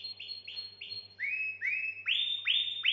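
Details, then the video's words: Canary song meant to excite females for mating: clear whistled notes repeated about every third of a second, then lower swooping syllables growing louder, over a faint steady hum. "Chant canari pour accouplement"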